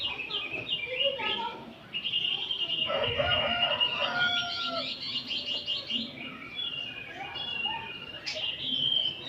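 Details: Many oriental magpie-robins in an afternoon chorus used for training: continuous busy whistles, rapid trills and sharp chirps from several overlapping singers, with a short harsh burst near the middle and a rising whistle toward the end.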